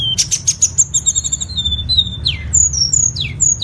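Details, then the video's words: Tledekan, a cage-bird training master song: rapid series of high thin chirps, then sharp whistled notes sliding downward and short clear whistles, with a steady low hum underneath. "MASTERAN SUARA BURUNG TLEDEKAN PALING AMPUH"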